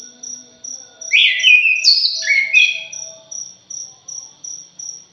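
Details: Orange-headed thrush giving a noisy jali-style lure phrase: a sequence of steeply descending whistled slurs, each dropping in pitch, sits between steady runs of rapid high insect-like pulses.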